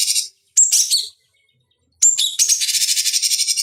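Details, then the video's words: Master recording for fighting-bird training in which a cucak cungkok bulbul gives a scratchy burst, a whistled chattering phrase, a pause, then a long rapid buzzy rattle with high whistled notes. "Masteran Pancingan Cucak Cungkok Ampuh Untuk Terapi Dan Masteran Burung Petarung"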